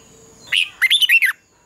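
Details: Red-whiskered bulbul singing competitively at dawn, used for training: a single note, a brief pause, then five quick, liquid, up-and-down whistled notes.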